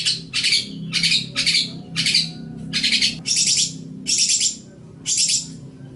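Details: Long-tailed shrike master song used for training other songbirds: a run of harsh, buzzy, broadband bursts, about eight in six seconds, each short and raspy, with steady low hum underneath.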